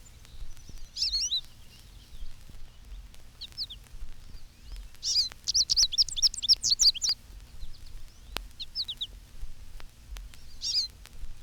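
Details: Canary-like medley from an American Goldfinch flock perched on telephone wires, chickaree flight call and bay-bee alarm note among it; short clusters of high twittering notes separated by quiet gaps, one longer burst midway.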